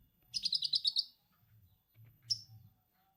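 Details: Orange-headed thrush used as a lure and training recording, singing material packed with lovebird-style "ngekek" chatter: one fast buzzy burst of about seven sharp notes, then a pause and a single high chip.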